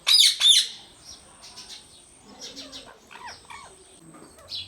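A rose-ringed parakeet gives two loud, harsh screeches, then softer chattering, word-like mimicry at a quicker, uneven pace, with a faint steady hiss behind.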